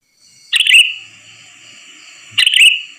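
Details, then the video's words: {'caption': 'Sooty-headed bulbul lure call for trapping birds: two loud, bright chirping bursts about two seconds apart, each a quick sharp note trailing into a sustained high tone, over a steady faint high hiss.'} "Suara pikat burung kutilang || kutilang gacor"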